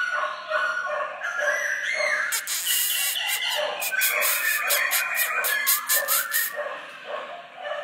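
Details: A caged Black-throated laughingthrush sings and displays, giving a rich, rapid run of loud whistled and fluty phrases, varied in pitch, with sharp rattling clicks through the middle of the song.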